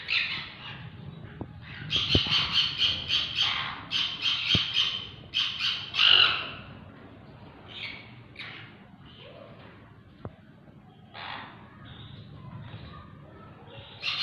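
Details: Sun conure pair, parrots: bursts of harsh grating squawks, loudest in the first six seconds, then softer scattered cries over a low background hum with occasional clicks.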